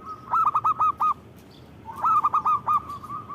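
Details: Zebra dove in full song, with two rapid rolling phrases of five or six stuttering coo notes, each building from a soft start, separated by a brief quiet gap.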